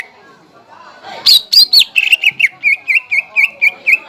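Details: Greater green leafbird, kept as a cage bird, song used as a lure to stir other leafbirds to sing: rising sweeps, then a run of clear whistled notes near one pitch repeated about twice a second.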